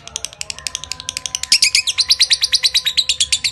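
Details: Ngekek-style lovebird chatter that opens with scattered high ticks, then swells after a second and a half into a loud, fast, even stream of shrill buzzy notes.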